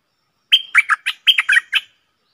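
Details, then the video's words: A caged stripe-throated bulbul, recorded 7 June 2021, delivers one quick phrase of about seven bubbly, slurred whistles in close succession, clear and loud against silence. "เสียงต่อนกดอกแตงEp.57Bird sounds"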